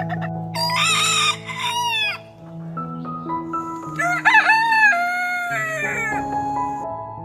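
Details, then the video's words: A rooster gives two loud, ringing crows, each rising then falling and lasting over a second, over steady background music. "rooster Sound"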